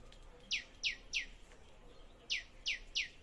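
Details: Bird in a small home food forest giving clipped, descending chip notes, three in quick succession, a pause, then three more, against low steady outdoor noise.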